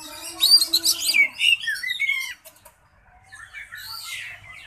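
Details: Contest-singing Oriental magpie-robin delivers a burst of quick high chirps and slurred whistles for about two seconds, then falls quiet before softer distant notes, with a low droning tone underneath.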